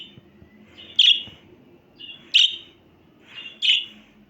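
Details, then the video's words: Budgerigar uttering three loud, high chirps about 1.3 seconds apart, each led in by a softer rising note, over a low background rumble. "MUHABBET KUSU SESI"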